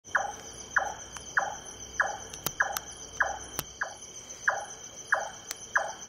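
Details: Large-tailed nightjar at Sattal, India: a steady series of hollow, knocking 'chonk' notes, about two a second, over a constant high insect drone and a few sharp clicks.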